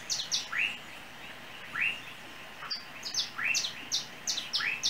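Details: Unidentified small yellow songbird on a Trinidad overhead cable gives swept-up chirps spaced over a second apart, mixed with quick high-pitched ticks in pairs and trios.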